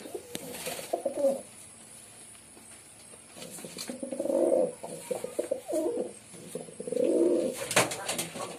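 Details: Pigeon cooing with gaps: a short coo, a pause with clattering noise, then two fuller throaty coos rising and falling, plus a sharp snap near the end.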